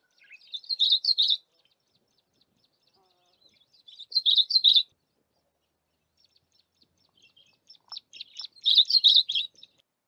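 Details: A Yellow-bellied eremomela singing while foraging for insects in a bush: three short, high, jumbled phrases of thin chirps and trills, each about a second long, roughly four seconds apart.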